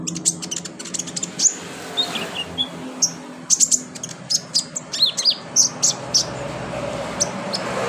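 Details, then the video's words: Thin, very high ticking and chipping notes from a kolibri ninja sunbird, irregular bursts with a few short slurred whistles, over steady hiss; recording used as therapy to make birds sing. "NGETREN TERAPI KONIN GACOR 2023 full roll rapat tembakan pedas"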